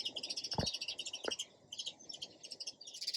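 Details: Sparrow chirping steadily in a dense run of short high twittering notes, with two sharp low knocks near the start.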